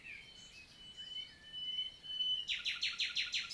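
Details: Common nightingale singing in the morning on 11 June 2023 in summer countryside forest, Célé valley, Lot, southern France: a long pure whistled note, then a rapid loud repeated chattering phrase of about six notes, with faint other birds behind.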